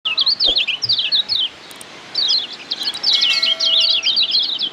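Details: A Lombok yellow white-eye (Zosterops), used as a song tutor for captive birds, pours out rapid, high, twittering phrases of thin zigzag notes in two bursts, broken by a short pause.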